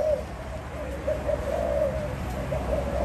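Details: Spotted dove giving low, mellow coos in short repeated notes, evenly spaced, with a steady low-pitched hum underneath.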